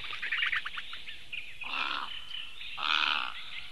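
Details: A Eurasian bittern in Latvia on 29 May 2015 gives two harsh, hoarse croaks about a second apart as it flies over, with small birds twittering beforehand.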